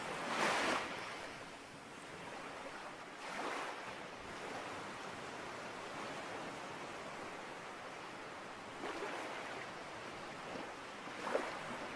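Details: Steady surf and wind, with a few louder washes of breaking waves and no clear bird calls.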